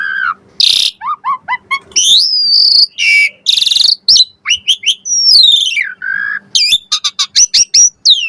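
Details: Varied Asian pied starling song played as a lure to draw replies from other birds; mixes harsh noisy bursts, short falling whistles, a sweeping downslurred note and a rapid ticking series at the end.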